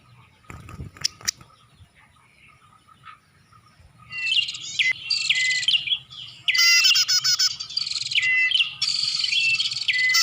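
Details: Bar-winged prinia lure sound used to attract birds: after four quiet seconds with a few clicks, loud, dense high chirping bursts begin, with buzzy trills and short falling whistled notes repeated in quick phrases.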